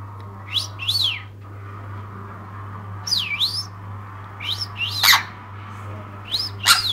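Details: Pet Jenday conure, excited while getting a bath indoors. Scattered short squawky chirps, some dipping and rising in a V shape, come in small clusters with quiet gaps between them, over a steady low hum.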